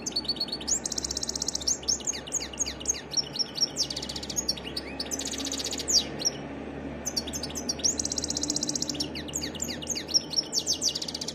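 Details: Extended varied European goldfinch song, with fast, sharp twittering phrases mixed with buzzy, nasal trilled segments, repeated in bursts with brief gaps, loud and close over a low hum.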